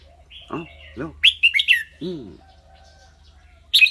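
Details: Red-whiskered bulbul kept as a cage bird singing in a clear voice; two low, arching harmonic sounds, then a short burst of four bright whistled notes, another low arc, and a final sharp whistled phrase.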